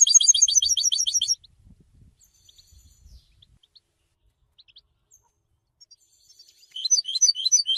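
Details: European goldfinch song in two bursts of fast, tinkling, high twitters, separated by several seconds of near quiet with faint scattered chips.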